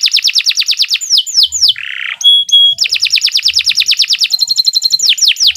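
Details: Canary master song for teaching young birds, long and continuous: fast repeated descending notes, a short buzzy burst, pure whistled tones, then rolling trills, delivered loudly without pause.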